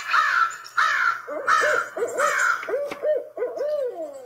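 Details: Barred Owl, whose call is likened to "who cooks for you", hooting in a quick series of low, arched notes on a recording with many birds, overlapping a harsh, repeated cawing from another bird.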